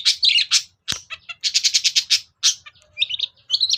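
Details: Long-tailed shrike lure song, used to prompt reluctant shrikes to sing: rapid, shrill chattering bursts and buzzy high notes in quick clusters, with brief gaps and a sharp click near one second.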